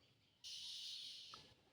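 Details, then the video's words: Oriental magpie-robin (doel) screaming from a tree as a cat creeps closer, like a danger signal: one harsh, hissing rasp about a second long, followed by a short lower note. "দোয়েল পাখির চিৎকারটা শুনতে পাচ্ছেন?"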